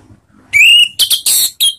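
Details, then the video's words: Orange-headed thrush song used as a ngeriwik lure to trigger singing: a long, steady, slightly rising pure whistle, then three harsh, buzzy bursts and a short high note, all loud and close. "Langsung GACOR ANIS MERAH manapun denger SUARA NGEPLONG ini ¦ PANCINGAN Ngeriwik"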